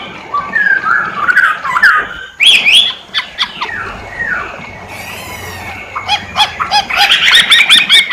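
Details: Masked laughingthrush, poksay hongkong, singing: mixed warbled phrases, harsh squawking notes and a buzzy rasp, ending in rapid loud chattering bursts repeated many times.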